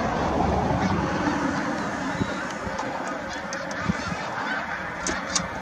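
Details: Tundra swans on the lake at Middle Creek, a dense flock chorus of many overlapping honking, bugling calls forming a continuous wall of sound, with a few sharper high notes standing out near the end.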